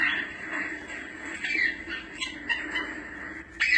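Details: African grey parrot sounds for catching a parrot's attention: soft continuous chatter with short whistled notes, ending in a louder call.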